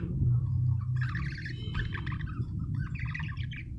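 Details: Budgie chirping in busy bursts of scratchy, warbled twitters, with a short break before a final chattering run, all over a loud low rumbling hum.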